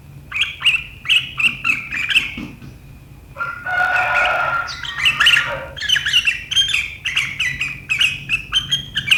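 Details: Sooty-headed bulbul in full riwikan chatter, 7 April 2023, described as sharp enough to make rivals chatter back: rapid runs of bright chirps, broken midway by a rougher, noisier, lower burst, then fast chirping again.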